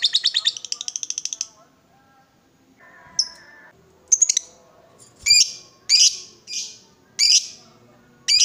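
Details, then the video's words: Provoked lovebird starting with a brief fast shrill rattle, then after a pause a series of separate harsh, scratchy high squawks spaced about half a second to a second apart. "Lovebird diam langsung Nyambar, Emosi Naik Gacor Ngetik Lanjut Ngekek"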